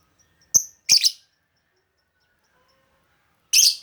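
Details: Lovebird sounds played to lure lovebirds: a thin high chip quickly followed by a harsh, buzzy squeak, then a long silence before one more rasping chirp.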